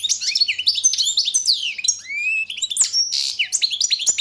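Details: Competition song of a European goldfinch, Carduelis carduelis balcanica, entered in the 2022 World Championship in Goldfinch Song: dense, fast, high tinkling phrases with sliding whistles and a brief buzzy burst, continuous throughout.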